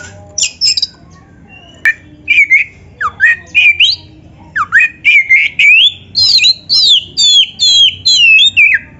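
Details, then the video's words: White-rumped shama singing loudly, used as a master recording to train other shamas and make them sing; varied whistled phrases with sharp downward and rising slurs, ending in a run of rapid repeated looping notes, about two per second. "SUARA BURUNG KACER GACOR FULL NARUNG ‼️ Untuk MASTERAN KACER MANAPUN"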